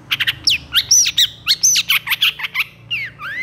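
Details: Long-tailed shrike in vigorous song with long bursts, recorded to tutor stressed or silent shrikes. Harsh squawky notes mixed with slurred whistles, about a dozen in quick succession, over a faint low hum.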